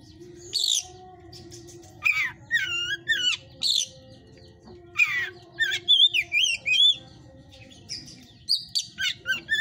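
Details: Caged white-rumped shama, hot type, in a breeder's pen, mixing harsh rasping bursts with short runs of clear looping whistles, repeated in several outbursts across the recording.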